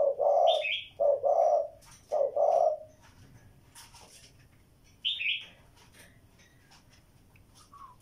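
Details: Spotted dove giving a short run of four soft, low hollow coos in quick succession, then falling silent, while another small bird chirps higher notes in the background.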